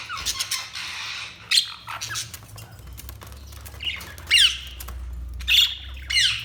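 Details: Pet budgerigars giving a busy mix of scratchy squawks, quick chirps and short warbles, closely spaced at first and then in separate bursts every second or so.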